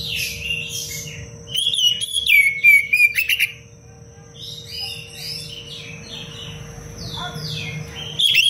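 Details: Oriental magpie-robin singing a tight-phrased training song for other birds: rapid chips and a falling whistled phrase early on, then softer varied warbling notes, ending with a loud whistled burst; constant low hum behind.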